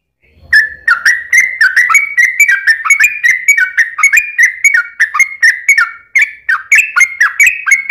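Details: Trucukan song used as a lure to get other birds singing: an unbroken chain of rich, rolling whistled notes with a steady, rapid rhythm lasting several seconds.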